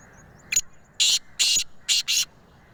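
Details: Black francolin calling in Sindh, Pakistan: one short sharp note, then four harsh, grating, buzzy notes in a quick rhythmic phrase lasting about a second and a half, over quiet background hiss.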